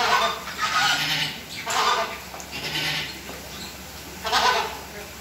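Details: A flock of Chilean flamingos at WWT Slimbridge, marching in a courtship display. Loud, grating honks from several birds repeat about once a second and overlap, then pause briefly before a final burst.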